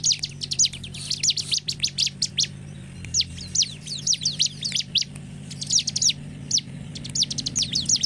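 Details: Bar-winged prinia song used as a lure to stimulate other prinias to sing more emotionally: dense runs of high, sharp chirps in quick bursts, pausing briefly near three seconds, over a steady low hum.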